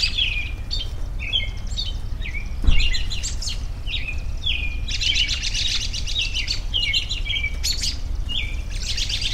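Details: Birds singing in a relaxing outdoor soundscape, short downslurred whistles repeated again and again alongside bursts of fast twittering, with a brief knock partway through and a low steady rumble beneath.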